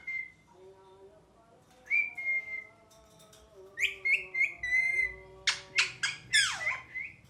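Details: Indoor pet ringneck parakeet mixing flat sustained whistles with rapid, rhythmic chirps about three per second, ending in loud rasping calls that sweep downward.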